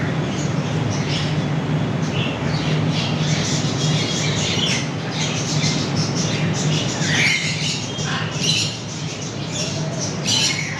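Macaws give harsh, raspy squawks in uneven bursts over a steady, heavy low rumble.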